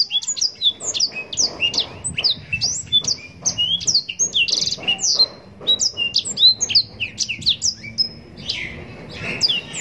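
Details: Yellow-rumped serin (blackthroat) singing vigorously in long, ornate phrasing, a mastering recording for training contest songbirds: a dense, almost unbroken stream of sharp high downslurred whistles mixed with buzzy trills for the whole ten seconds.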